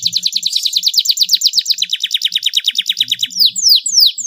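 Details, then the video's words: Spirited canary singing a long rolling song with luxurious phrasing, intended to draw song from reluctant canaries; a fast steady series of high sweeping notes, about four per second, ending in louder slower descending whistles. "KENARI GACOR ngeroll panjang cengkok mewah suara jernih buat pancingan kenari males bunyi"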